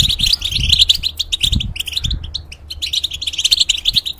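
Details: European goldfinch singing in a cage as a model for young hybrids; a lively flow of rapid twitters and trills, thinning midway, with soft low thuds.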